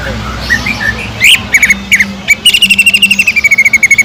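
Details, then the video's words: Greater green leafbird in a lure song recording with kingfisher-style mimicry fill, known locally as tengkek udang: scattered sharp chirps, then a fast, evenly repeated series of bright notes, over steady low background hum. "PANCINGAN CUCAK IJO GACOR ISIAN ISTIMEWAH TENGKEK UDANG"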